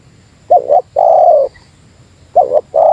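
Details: Spotted dove, Meratus lure style, calling at a rival: a two-part stuttered coo and a long level coo, then the same pair again after a short pause, over quiet surroundings.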